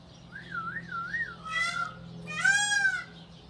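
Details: Rescued African grey parrot, the newest member of a sanctuary flock: a warbling whistle rising and falling three times, then two loud harsh, richly harmonic squawks, over a low steady hum.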